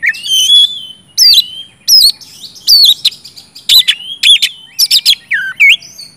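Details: Energetic oriental magpie-robin song meant to coax quiet birds into singing, with long sweet whistled notes broken by loud sharp slurred phrases at roughly one-second intervals.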